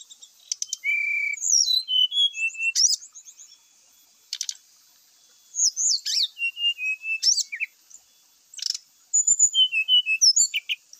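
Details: Brown-chested jungle flycatcher song said to provoke other males into fighting: very high, varied whistled phrases, with falling slurs, short trills and sharp clicks between pauses.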